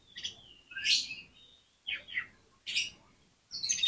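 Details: Oriental magpie-robin singing vigorously, a recording meant to provoke other magpie-robins into singing quickly: short bursts of bright whistled notes around a rising slur, separated by pauses, with faint low rumble beneath.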